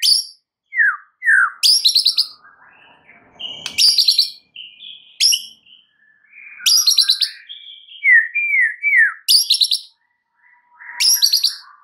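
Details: White-rumped shama song meant to provoke rival birds: bursts of rich high trilled notes alternating with paired downslurred whistles, repeated in lively phrases with short pauses.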